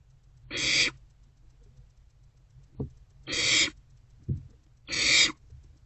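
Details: Barn owlets begging in a nest box at night on 27 March 2024 while sharing a vole. Three rasping hisses spaced unevenly, with soft knocks and scuffles between them.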